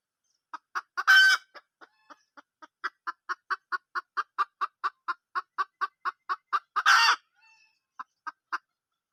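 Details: Wild junglefowl hen giving a long, steady run of about twenty even clucks, roughly three a second. Two loud harsh bursts break in, and a few spaced clucks close the sequence.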